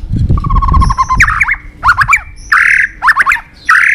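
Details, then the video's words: White-rumped shama fighting song used to excite birds: a soft low rumble and a rattling series of notes open the clip, followed by loud harsh slurred phrases repeated in short groups with brief gaps. "Luyện giọng chòe Lửa hót đấu"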